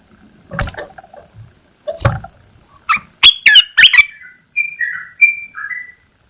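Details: Red-eyed bulbul in a cage, heard as its cover comes off after 14 days, gives a few faint notes and thuds, then a fast run of bright chirps ending in several clear slurred whistles.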